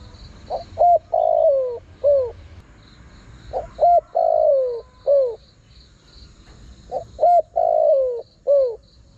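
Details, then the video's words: Spotted dove luring wild birds with a repeated phrase, sung three times about every three seconds: short note, rising-falling note, long descending coo, closing arched coo. A pulsing high insect-like buzz runs throughout. "Chim cu gáy gọi hay kích bổi nhanh nổi"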